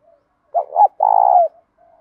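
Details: Spotted dove cooing to train and provoke other doves: soft murmur, two clipped hoots, then one long, pulsing, level coo trailing into faint low notes. 'Thúc dút' style, field voice with a little 'thổ'.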